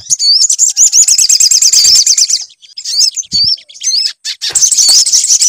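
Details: High-pitched sunbird song played as a lure to make a bird sing, a fast continuous chatter of looping, warbled notes, then brief breaks and a renewed rapid twittering burst.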